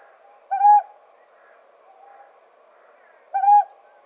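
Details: Night in the Yaeyama Islands with a Ryukyu scops owl of a calling male and female pair: two short hollow hoots about three seconds apart, a fainter note between them, over a constant high-pitched insect whine.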